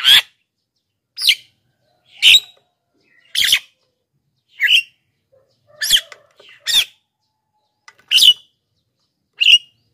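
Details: Black-winged myna song for luring wild birds and training quiet singers: a string of about nine sharp, harsh squawks, irregularly spaced, roughly one per second.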